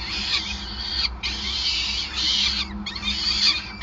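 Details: At the Gasunie nest in Groningen on 5 May 2020, peregrine falcons during feeding give intense, shrill squealing in sustained bursts broken by two short pauses, with a faint low drone throughout.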